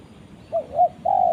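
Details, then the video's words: Spotted dove call to its companion: two clipped, rounded coos in quick succession, then a louder, sustained coo. Only faint low background noise is heard. "suara burung tekukur memanggil temannya"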